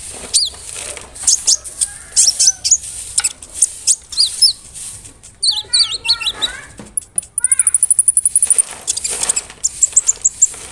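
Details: Big-bodied brown-throated sunbird singing as a lure to stir other sunbirds. Varied high chirps, slurred whistles, then a fast, even rattle of piercing ticks near the end.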